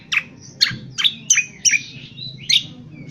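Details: Indonesian honeyeater giving rough 'ngriwik kasar' twitter, used to train birds: six sharp, descending chip notes about every half second, linked by thin whistled slurs.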